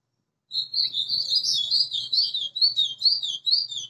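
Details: White-throated seedeater, caged bird that arrived the day before, singing a rapid warbled string of high whistled and twittering notes, continuous for over three seconds with slight buzzy undertones and a faint low hum behind.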